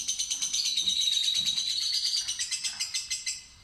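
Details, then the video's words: Fighter lovebird ngekek trill: a fast rattling series of raspy pulses with a faint whistled line running through it, slowing and fading toward the end. "Pancingan Lovebird Fighter Ngetik Ngekek Terpanjang"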